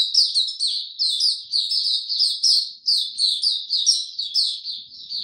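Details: White-eye singing, 26 March 2022, warm and very humid: an unbroken stream of bright, high, twittering notes in pulsing phrases roughly every half second, clean with no other sounds.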